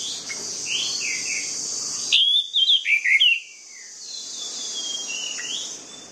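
An orange-headed thrush sings a rich run of rapid, varied whistled phrases, sliding up and down, over a steady high insect-like hiss.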